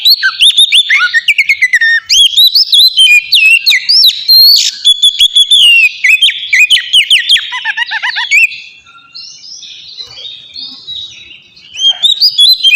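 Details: Loud ngeplong song of an oriental magpie-robin, used to coax captive birds into singing. Rapid chirps and whistled slurs run for eight seconds, then give way to quieter, sparse notes before a final loud phrase.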